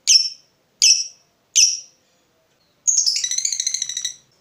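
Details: Three loud, sharp ngetik notes from a provoked fighter lovebird, roughly 0.7 seconds apart, followed after a gap by a short burst of fast, ringing ngekek chatter.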